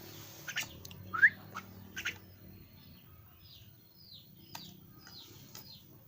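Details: Young caged pet Javan myna giving one loud, short upward-sliding whistled note, with fainter descending chirps afterwards and low indoor hum beneath.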